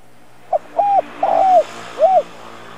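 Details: A spotted dove decoy with a good voice, calling to lure wild doves: one complete phrase of a quick lead note and three soft, hollow coos, the third noticeably longer, over faint background hiss.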